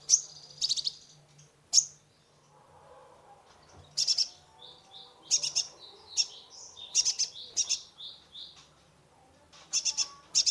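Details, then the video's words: Sunbird, called kolibri ninja or konin, singing a full, varied song used as a lure to stimulate a stressed caged bird; sharp high chirps in bursts with short whistled notes between, and a faint low hum behind. "Terapi pancingan konin gacor full isian mengatasi burung stress !!"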